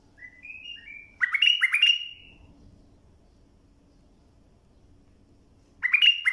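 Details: Bulbul song played for tutoring young birds: a short run of rising whistled notes, then two loud, slurred, chattering phrases close together, silence, and another burst at the end.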